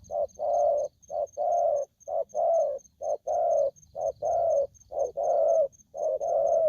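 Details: Young wild-caught spotted dove calling aggressively in an unbroken run of loud coos, short and long notes alternating about once a second, steady and insistent, with a faint high regular beeping in the background.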